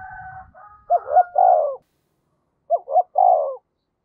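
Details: Spotted dove used as a decoy, two coo phrases of short rising notes and a longer rolling coo, the first overlapping a faint high steady tone and low rumbling at the start.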